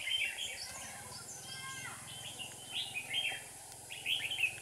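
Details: Decoy red-whiskered bulbul singing during trapping to draw in rival birds, 7 April 2019: quick chirpy, warbling bursts, one near the start and a cluster in the last two seconds, over a constant low engine-like drone.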